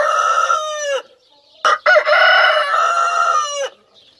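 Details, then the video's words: Rooster crowing twice: the end of a harsh, drawn-out crow sliding down, a pause, then a choppy start into another long, loud, hoarse crow of nearly two seconds ending with a downward bend. "My rooster sings"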